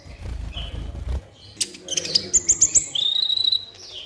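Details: Sunbird known as kolibri ninja in a lure recording for captive birds. A low rumble comes first, then a burst of four bright, high chips and a long, thin, sliding whistle.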